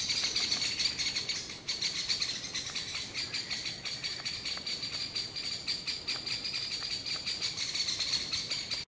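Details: Agitated great spotted woodpecker pair with young, alarming loudly while trying to chase a pine marten from beside the nest in a forest. Fast, continuous run of high, clipped notes, several each second, without pause.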